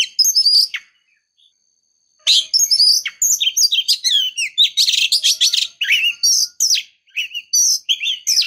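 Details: Female Oriental magpie-robin luring the male: a short whistled phrase, a gap of about a second, then a long loud sequence of varied high whistles, trills and harsh chattering notes.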